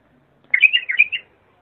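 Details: Single short bulbul phrase, clear song offered for tutoring young birds: about six linked liquid whistled notes rolling up and down in under a second.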